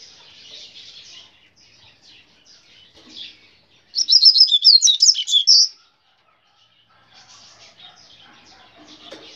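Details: Double-collared seedeater, a brown-plumaged bird, sings in the grego style: one loud, rapid burst of high twittering, warbled notes lasting about two seconds, set between faint scratchy chatter and soft background noise.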